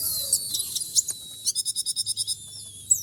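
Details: Konin in breeding condition near a teasing female sings thin sliding whistles and sharp chips, then a fast, regular trill of about eleven high buzzy notes.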